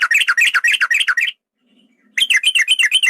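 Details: Male yellow-vented bulbul giving a long rattling lure song meant to provoke a caged bird to sing and fight: loud, fast bubbly chattering notes repeated about four per second, a brief pause, then the chatter resumes.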